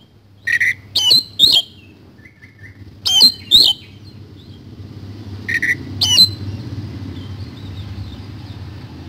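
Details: Kacer, the Oriental magpie-robin, singing in the 'isian kasan' style: scattered pairs and triplets of sharp, squeaky high notes over a steady low hum of background noise that grows louder toward the end.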